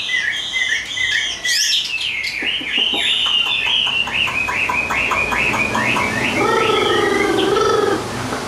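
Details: Chinese hwamei, described as singing well, delivers a fast falling series of clipped whistled notes before people's voices take over in the background.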